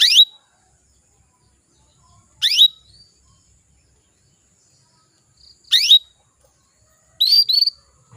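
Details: Female canary calling to males to prompt them to sing: short, high, upward-sweeping notes that each end in a brief level tone, given four times at uneven gaps of one to three seconds against a quiet background.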